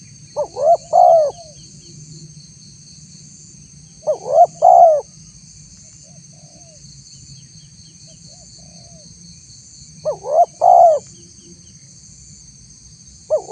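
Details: Mellow spotted dove coos used to lure wild doves, repeated about every six seconds: each phrase has two quick rising notes and a longer drawn-out coo. A constant thin high whine sits underneath.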